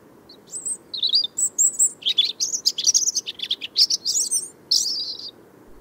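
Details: European robin singing at dawn or night in central Russia: a rapid, varied run of high, thin trills and sweet warbling phrases, with short pauses between bursts, over a faint low hum.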